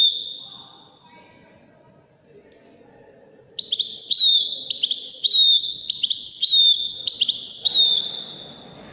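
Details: Waddani-style goldfinch song for tutoring goldfinch chicks and hybrids: after a quiet opening, about six short repeated phrases, each a sharp high note followed by a pure whistle, given roughly every 0.7 seconds.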